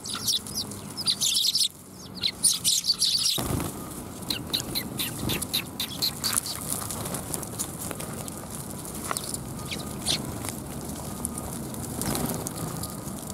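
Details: Several sparrows arrive for food at a Tenmangu shrine, 7 January 2021. A dense flurry of high chirps fills the first three seconds, then scattered faint chirps continue over steady background noise.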